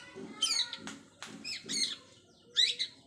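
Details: Long-tailed shrike learning mimicked filler sounds: scattered short bright chirps and harmonic whistled notes in separate bursts, with quiet pauses between them and faint low background murmur.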